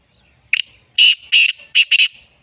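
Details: Loud rasping phrase from a black francolin (kala teetar, black partridge): a brief sharp opening note, two drawn-out grating syllables and a fast paired ending, with near silence around it.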